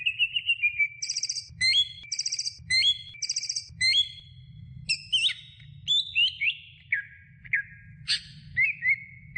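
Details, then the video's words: Greater green leafbird song from a medium-length tutoring recording for training other birds: rapid whistled phrases alternate with high, fast-trilled notes and sharp rising upslurs, delivered in a lively, varied run. "Masteran Cucak Hijau Durasi Sedang"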